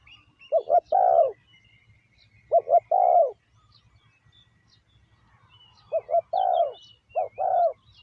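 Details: Spotted dove used as a decoy to call in wild doves, giving three mellow coo phrases, each a short double note followed by a longer slurred coo, over a soft low rumble and faint twittering.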